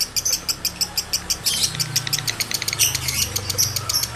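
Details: Male lovebird in high breeding condition, played so other males join in chattering; evenly spaced sharp chirps at first, then a quicker, denser run of bright high notes.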